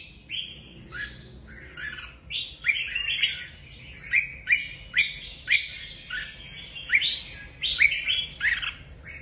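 Red-whiskered bulbul giving bright, liquid whistled phrases, short and bubbly, several per second, with several birds overlapping in a lively chorus.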